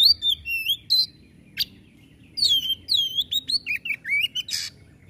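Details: Clear whistled white-rumped shama phrases with swooping slides, a brief gap, then a quick run of looping whistles and a harsh burst near the end.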